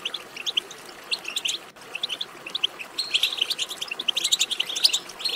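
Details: European goldfinch twittering to stimulate a goldfinch to sing; scattered sharp chirps early, then a denser, louder run of rapid tinkling trills from three seconds on.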